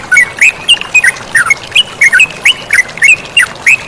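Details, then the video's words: A chatty yellow-vented bulbul sings with flowing water behind it: a brisk run of short, sharp, up-and-down slurred chirps, roughly three or four per second, over a constant watery rush. "MASTERAN TERUCUKAN GACOR DAN SUARA AIR MENGALIR"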